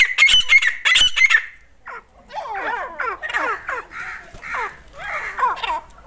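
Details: During a fight between dakni and desi grey francolins, with a desi female heard, loud raspy shrieks open the recording, followed by rapid, slurred, descending chattering notes about three a second, fading and uneven.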